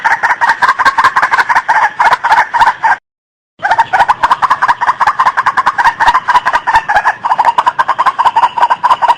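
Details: White-breasted waterhen call used as a bird lure: rapid, harsh, croaking notes repeated without pause, a brief silent break near three seconds, then the steady chattering series resumes.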